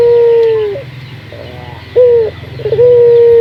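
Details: Puter dove lure call for training local doves to sing: long, level, pure coos that fall at the end, separated by softer stuttering notes, then a rising burst and another sustained coo.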